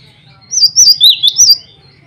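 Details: Single short burst from a male cinereous tit calling rivals and a female: four fast, high, clear whistled notes alternating up and down in pitch over a soft low hum.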